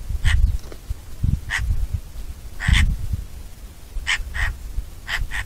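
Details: Eurasian magpie uttering harsh, clipped calls, several coming in quick pairs, about eight notes in all, mixed with gusty low-pitched wind noise.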